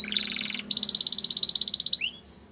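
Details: Belgian canary song played to coax canaries into singing: a buzzy rising roll, then a long rapid pulsing trill held on one high pitch, ending in a short upward slur.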